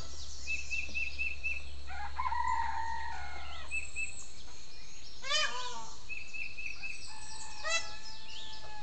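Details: At 6 a.m., heard from a bedroom window, a rooster crows a few times, harsh and drawn out, among quick repeated chirps and whistles from wild birds, with a low hum early on.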